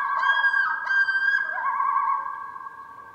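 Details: A Common Loon gives its wail call, a long mournful wolf-like cry used between mates to communicate and locate each other on the lake: steady drawn-out notes stepping up in pitch, then sliding down and fading; faint background music.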